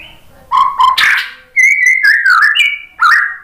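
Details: White-rumped shama song used to provoke other birds into singing: loud whistled phrases, notes sliding and warbling around mid pitch with a few harsh bursts, in separated runs.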